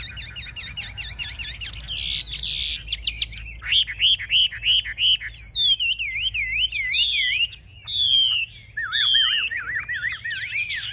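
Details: Caged hwamei, known as an aggressive fighter, showing off with lifted wings and fanned tail, sings loud varied whistles: rapid high trills, then rolling wavering notes and sweeping slurred phrases repeated in quick series.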